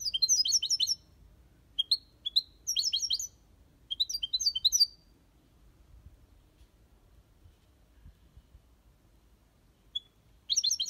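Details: European goldfinch singing the Malaga copy song in an aviary: short bursts of twittering notes separated by pauses, a long quiet stretch, then one more burst at the end.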